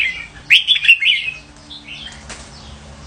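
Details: One short burst of bright, bouncy bulbul-type warbling, followed by faint soft notes and a single sharp click.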